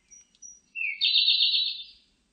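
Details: Siberian blue robin song recorded by a national biological resources institute in 2020: a few thin high introductory notes, then a loud rapid trilled phrase of repeated buzzy elements lasting about a second, on a quiet background.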